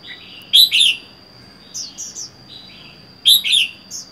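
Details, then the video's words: Caged red-whiskered bulbul kept alone, wild-caught and four months in the cage: two bright warbled phrases about three seconds apart, softer chirps between, over a steady high-pitched whine. "Chào mào một mình một nhà có thể căng được không?"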